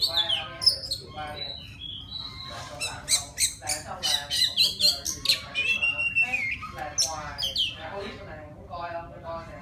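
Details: Song of a forest-type Oriental magpie-robin calling for a female: fluid whistled notes opening into a fast jumble of chips, rattles and swooping whistles, then softer chatter toward the end, with faint background hum.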